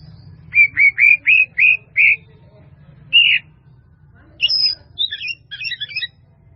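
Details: White-rumped shama, a masteran recording: a series of six quick rising whistled chips, one more after a pause, then a jumble of high twittering notes.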